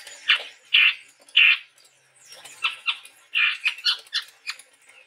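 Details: Harsh, scratchy chip notes from a male chestnut-rumped babbler, a Sumatran forest bird, repeated irregularly, some in quick clusters, over a faint hiss.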